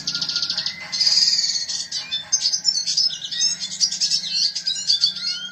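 A red siskin sings a fast, unbroken twitter of high buzzy trills and chattering notes, over a faint steady background tone.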